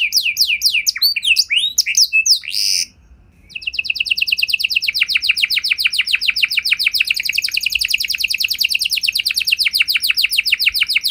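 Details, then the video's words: Lively canary song meant to set other canaries singing: varied swooping whistles and a short buzzy burst, a moment of quiet, then a long rapid rattling trill of high notes. "Kenari Gacor Lagu Istimewa! Langsung Nyaut Kenari Mana Saja Dengan Suara Burung Kenari Ini"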